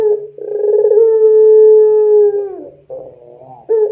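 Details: Barbary dove, called puter pelung, on a lure recording for training doves: a sustained low coo held evenly for about two seconds and falling at the end, followed by softer broken notes and the start of another coo.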